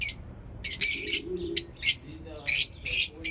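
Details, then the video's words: Lovebirds kept in a home setup, chirping: harsh, high screechy chirps in short bursts, several in quick succession with brief gaps, repeated irregularly through the clip; faint low background noise. "lovebird chirping sounds"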